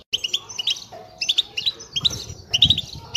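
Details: Group of European goldfinches twittering together, used to stimulate silent birds and pairs to sing: rapid bright tinkling chirps and trills in quick bursts, with a low background rumble.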